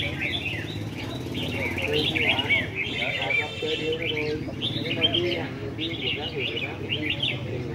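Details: Red-whiskered bulbul at a singing competition delivering dense runs of loud, chirpy warbled phrases one after another, with lower murmuring voices and hum beneath.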